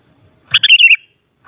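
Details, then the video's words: Single quick sooty-headed bulbul phrase for provoking a kutilang to respond: a sharp note followed by a rolling, slightly descending liquid warble lasting about half a second. "Suara Burung Kutilang Paling Ampuh Untuk Menaikan Emosip Jadikan Kutilang Gacor Nyaut"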